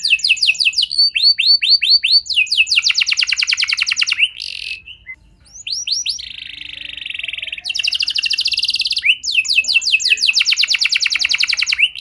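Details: Canary singing as a lure to set other canaries off: swooping falling notes, then dense rapid trills, a brief pause, a steady buzzy tone, and more fast high trills repeated in runs.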